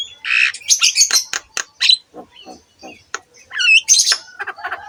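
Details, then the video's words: Javan myna singing, recorded to prompt other mynas to sing: buzzy squawks and clicks, low croaking notes, then looping whistled phrases and harsh chatter. "KICAUAN BURUNG JALAK KEBO GACOR COCOK UNTUK MASTERAN SEMUA JENIS JALAK"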